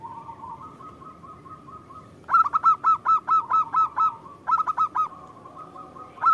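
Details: Local zebra dove, a lively singer used as a lure that draws an immediate answer from other local doves: after a soft steady tone, loud bursts of rapid, fluttering cooing notes, about eight in a row, then a shorter run.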